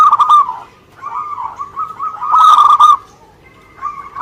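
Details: Zebra dove, local Indonesian bird, with drawn-out, wavering cooing: a short phrase, then a long rolling sequence of soft notes swelling louder midway before fading, and a final quiet coo.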